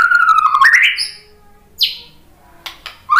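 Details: Loud white-rumped shama song used as bait to rouse fighting males: a wavering whistle that rises sharply, then a brief pause, a steep downward sweep and short sharp notes, ending on a rising whistle.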